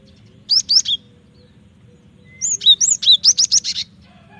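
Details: Cinereous tit in energetic song, used as a lure and tutor recording for training birds: two quick high sweeping whistled notes, then a pause, then a run of about ten bright chirped notes; a faint low hum underneath.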